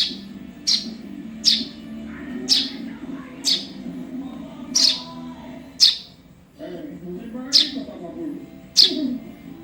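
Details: Juvenile Eurasian tree sparrow giving short, high, sharp chirps at uneven intervals of about a second, played as a model for other songbirds to learn from; a low background hum and a faint voice-like murmur run underneath.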